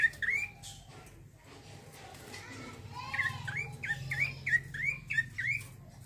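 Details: A male bar-winged prinia sings in a rolling, vigorous style. A single chirp opens, then a quiet stretch with faint background voices, followed by a fast run of bright, up-sweeping notes.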